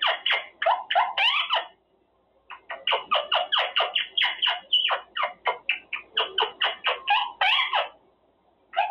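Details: Quaker parrot in a cage practicing words, fast raspy chattering in two long bursts separated by a short pause, harsh notes repeated several times a second.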